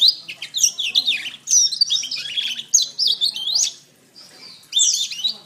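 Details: Canary master song for training songbirds: rapid bursts of high whistled slurs and chattering trills in phrases, a brief pause, then the fast warbling resumes.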